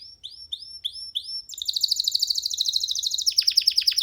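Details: Baby canary perched freely on a hand, giving four upward-curving whistled notes, then breaking into a dense, loud, buzzy trill that shifts into rapid descending sweeps.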